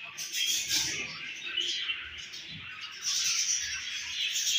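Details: Home-bred budgies, baby included, kept at home; continuous high chirping and warbled chatter, quieter midway, then swelling again into busy twitters.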